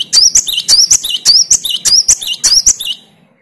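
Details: A great tit (Parus major) that was reluctant to sing answers a lure recording of another singing great tit: a bright, high two-part phrase, sharp upper then lower note, repeated briskly about twice a second for six phrases.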